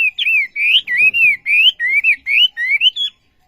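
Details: Brief burst of olive-backed sunbird song: about ten loud wavering whistles, each swinging up and down, given in quick succession before falling silent.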